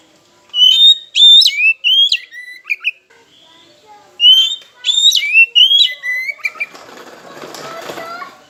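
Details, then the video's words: Oriental magpie-robin (kacer) song meant to provoke silent rivals: two matching runs of loud, slurred whistles, followed by a broad rustling noise at the end. "Pancingan KACER Macet Bunyi, Sekali Dengar Langsung Emosi!"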